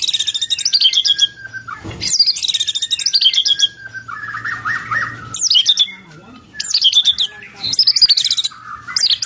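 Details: White-rumped shama song in isian cililin style: dense high twittering phrases of rapid chips and slurs, broken by pauses, with a lower chattering run of notes near the middle and a faint low hum.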